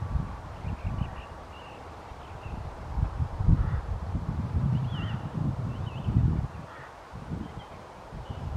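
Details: Wintering white-fronted geese, Wimpole Hall, Cambridgeshire, 17/12/20: scattered short, high, yelping calls in quick pairs and triplets, partly masked by gusty wind and low rumbling.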